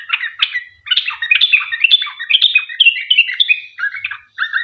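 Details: Sooty-headed bulbul in lively song, used as a lure to get other bulbuls calling back; a fast, chattering string of bright, bubbling notes that jump up and down, pausing briefly near the end, with no background noise.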